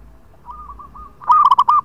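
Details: Local zebra dove in full song with long phrases, played as a lure. A soft rolling phrase is followed by a loud burst of four quick, ringing cooing notes.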